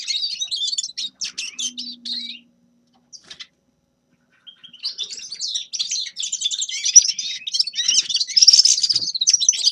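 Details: A grey-crowned goldfinch sings a burst of sharp twitters, falls silent for about two seconds apart from a couple of short notes, then resumes with a louder, buzzier twittering run.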